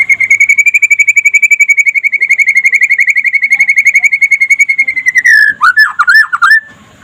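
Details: Trotol-type white-rumped shama in daytime song, used to coax other shamas to sing: a long, rapid, even trill of bright whistled notes held at one pitch for over five seconds, ending in a few swooping, looping whistles.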